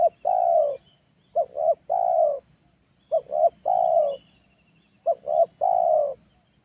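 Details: Trained spotted dove call, used at home to lure other doves: low hollow cooing phrases, each a pair of short coos then a longer drawn-out coo, repeated about every two seconds.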